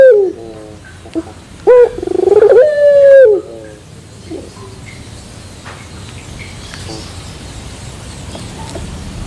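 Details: Puter pelung turtle dove singing in the terasan bermetal style: a few low coos, then a loud stuttering pulsed phrase and a sustained falling coo, followed by several seconds of faint background noise.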